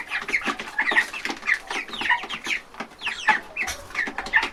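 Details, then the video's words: Many young chickens feeding at a trough inside a big farm chicken house, giving quick downward-sliding peeps and soft clucks that overlap constantly in a busy flock chorus. "Baby Chickens Eating From A Trough Sound Effect"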